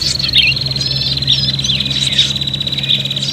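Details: Agitated prinia calls for luring: a steady high buzzing trill carrying on without pause, sprinkled with short squeaky slurs and chirps.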